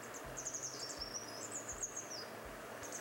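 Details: A Grey Wagtail, a chatty bird of clear rivers and streams whose call is metallic and piercing and often given in flight, gives thin, very high, sharp metallic notes for about two seconds, with soft low thumps beneath.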